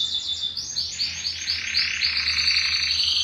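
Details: Belgian canary, caged, singing to stimulate males and bring females into breeding condition; a fast run of bright high trilled notes, rolling and repeated about four times a second, with a faint low hum beneath.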